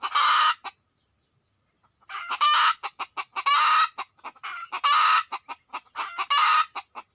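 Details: Red junglefowl drawn in from the wild: a long pause, then dense loud crow-like bursts alternating with rapid clucking over several seconds.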